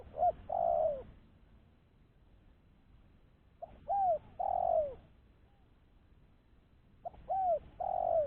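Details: Spotted dove used as a lure for other doves, giving three coo phrases about every three and a half seconds, each of short notes, an arched coo and a long descending coo.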